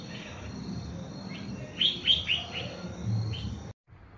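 A pennant-winged nightjar gives a brief run of four or five thin, high chirps midway through, over a steady hiss and low background rumble.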